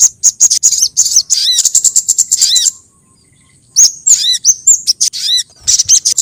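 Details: Lure sound for attracting sogon birds: fast, high ticking chirps running together, a silent gap, then sharp whistled notes and swooping chirps resuming.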